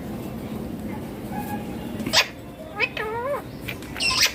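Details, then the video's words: Ringneck parrot calling in its natural voice: a few short, sharp squawks and a quavering, warbled note rising and falling, heard over steady low background hum. "Loud Parrot Chirping/Natural Parrot Sounds || Parrot Calling Sounds ||Ringneck Parrot Natural Voice"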